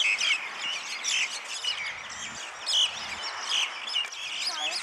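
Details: Flock of common mynas (Acridotheres tristis) in Tel Aviv chattering at once, a dense stream of harsh squawks, whistles and clicks overlapping without pause; faint background voices.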